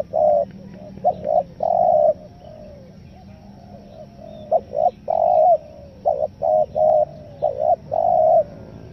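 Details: Spotted dove call used as a lure for wild doves: low, hollow cooing phrases in broken, stuttering groups of two to four notes, separated by pauses, over a steady background hiss.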